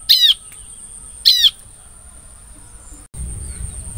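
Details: Bar-winged prinia lure sound for trapping the same species: two harsh descending buzzy notes just over a second apart, then quiet before a burst of low background noise.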